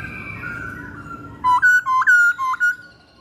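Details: Masked laughingthrush lure song for training birds: a quiet stretch of soft whistling, then a burst of six sharp, loud whistled notes that step up and down in pitch, followed by a fading tail.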